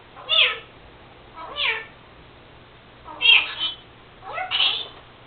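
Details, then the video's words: Pet Senegal parrot Lucy, mimicking her owner's sneezes from a cold, gives four short, nasal, meow-like utterances about a second apart, copying speech and sneezes, over a low indoor hum. "Senegal parrot Lucy talking...and making sneezing sounds"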